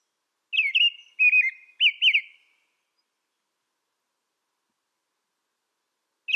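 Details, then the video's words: Song of an American robin: four quick caroling whistled syllables in a brief phrase, followed by a long quiet gap before another phrase begins at the end. "American Robin Bird Sound, Bird Song, Bird Call, Bird Calling Chirps"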